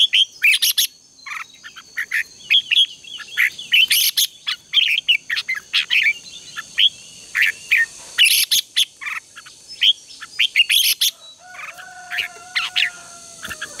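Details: Red-whiskered bulbul in morning contest singing, used as a lure to train birds, gives short chattering, warbled bursts in rapid irregular phrases, with a steady high electronic-like tone throughout and a faint falling whistle near the end.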